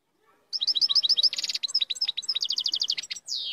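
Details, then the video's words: Powerful song of a European goldfinch (maqnin): fast runs of bright tinkling chirps, a burst of harsh buzz, then more rapid twitters ending in a long falling whistle. "تغريد مقنين قوة"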